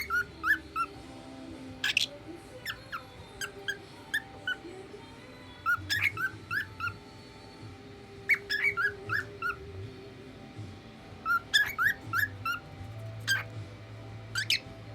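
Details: A young male pet Lutino red-eye cockatiel, born in the Philippines, sings his heart out in short bursts of bright whistled notes, some sharp and rising, with pauses between phrases.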